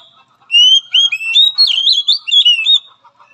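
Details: Oriental magpie-robin sound therapy training for a weak-spirited bird: loud, rich whistled song of rising and falling slurred notes, tumbling quickly for over two seconds, with soft chatter before and after.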